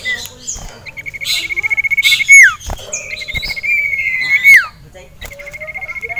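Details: Caged male sirtu, excited by a rival and a female, sings long level trills of rapid high notes, each closing in a steep downward whistle, with hissing bursts and a few clicks between.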